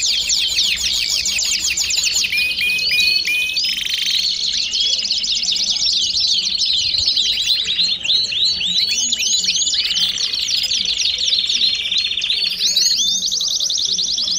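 A Belgian canary sings a bright, rapid stream of trills and chirps.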